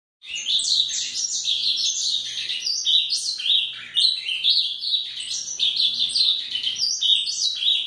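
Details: A male Ultramarine Grosbeak (azulão, Cyanocompsa brissonii), a territorial captive bird, agitated and being trained to open its song outdoors in the bush, sings a rich, rapid warbling phrase of sweet whistled notes, varied and continuous.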